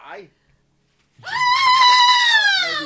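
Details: A pet salmon-crested (Moluccan) cockatoo, in a home with a cat, gives one drawn-out, nasal, harsh cry, steady then sagging slightly over about a second and a half, after a brief human voice.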